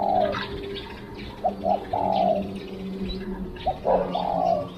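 A spotted dove coos in low, soft, hollow phrases, a short note or two followed by a longer drawn-out coo, repeated; a steady low hum underneath.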